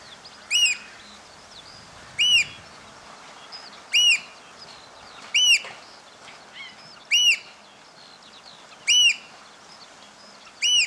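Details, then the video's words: Eurasian oystercatchers piping after the rain, recorded hand-held from a bird hide on a Panasonic SDR-S26: loud, ringing, arched kleep notes repeated about every 1.7 seconds, seven in all, over quiet background hiss. "Oystercatchers Piping After the Rain"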